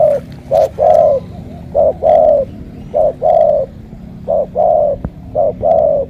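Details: Morning cooing of a loud 'thổ cọp' spotted dove, Ca Mau, Vietnam: evenly spaced phrases of a short note and a longer resonant note, repeated five times with a steady rhythm.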